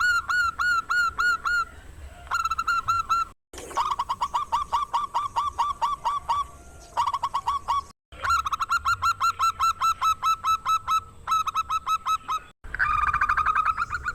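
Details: Zebra dove of local stock with a big, rare voice, singing to provoke rival doves into singing: long runs of quick, clipped, honking coo notes in steady rhythm, interrupted by brief silent gaps, ending in a drawn-out, louder phrase.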